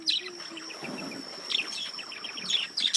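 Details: Male budgerigars reacting to a lemon cucumber: quick chirps and warbled chatter at mid to high pitch, with short bursts of sharper high notes near the start and end and a steady thin high tone throughout.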